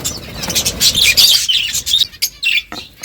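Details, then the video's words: Several budgerigars chirping while eating: dense high chatter of short chirps and warbles, with gaps and a few sharp clicks toward the end. "Beautiful budgies colour eating and chirping sounds"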